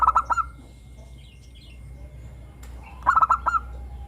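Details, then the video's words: Local zebra dove singing actively in the morning: a rapid stuttering burst of four or five hollow cooing notes, then a pause of about two and a half seconds before a second similar burst; low background hum. "perkutut lokal gacor suara Rame manggung bunyi di pagi hari"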